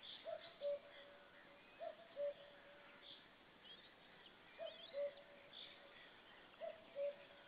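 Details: A common cuckoo gives its falling two-note 'cuck-oo' four times, spaced irregularly every two to three seconds, over a soft hiss of faint distant birdsong, on 4 May 2013, while a white-tailed eagle listens.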